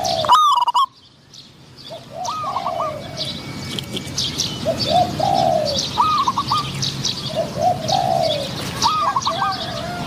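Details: Spotted doves exchanging calls while a caged decoy lures a wild dove with a medium-pitched voice; a loud close coo, then a series of softer rolling coo phrases every two seconds or so, with chirping birds behind.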